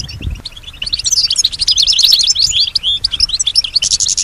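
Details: European goldfinch singing in response to surrounding sounds, which it imitates; a rapid, tumbling stream of high twitters and slurred notes, ending in a buzzy burst, with a low thump at the start.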